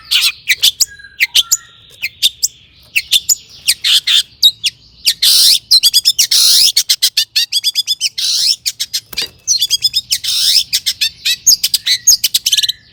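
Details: Long-tailed shrike in vigorous song to stir rival shrikes into singing: a long, dense stream of rapid chattering, harsh buzzes and quick mimicked twitters, sometimes run together into continuous rattling passages.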